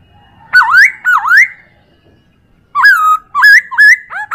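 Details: Chinese hwamei tutor song for training other birds: two dipping, upslurred whistles, a short silence, then a quicker run of varied slurred whistled notes.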